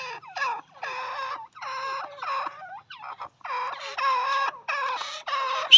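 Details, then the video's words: Female partridge (teetar) calling: a series of harmonic, nasal squealing notes in short bursts, mostly rising then falling, repeated about every half second with brief gaps, ending in a sharp high note. "female teetar voice || mada teetar ki awaaz"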